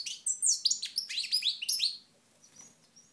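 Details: Goldfinch from Moknine, 2012, in sunlight, delivers a tumbling two-second run of tinkling, liquid chirps and buzzes, then falls almost silent with only faint distant notes.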